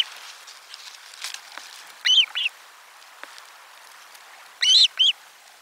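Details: Osprey at nest 4 on 12 July 2022 during a lunchtime fish delivery: two bursts of loud, arched, whistled notes, each a quick pair, separated by about two seconds of quiet with faint background chirps.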